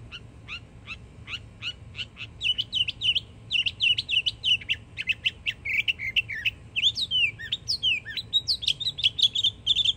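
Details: Northern mockingbird, a young yearling bird in Florida, singing vigorously: rapid strings of sharp whistled chips repeated in series, shifting to denser warbling phrases with swooping slurred notes, nearly continuous over steady low background noise.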